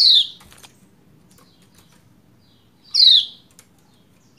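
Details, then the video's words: Lombok white-eye female giving 'ciak' calls to prompt a male to sing: sharp downward-sweeping harsh notes roughly three seconds apart, with a few faint clicks between. "Ciak Ciak Pleci Lombok Betina Memanggil Jantan Supaya Cepat Gacor"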